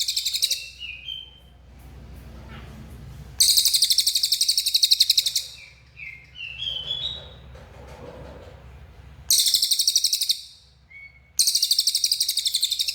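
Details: Cililin bird in full, active song: bursts of shrill, fast-pulsed buzzy trilling separated by quieter gaps holding short thin whistled notes, the bursts lasting a few seconds each.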